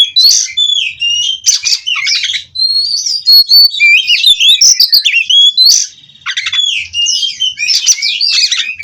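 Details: Oriental magpie-robin (kacer) from a breeding farm, rolling 'ngerol' song without pause: varied high whistles, twisting slurred notes and rasping buzzy bursts, with one short lull before resuming.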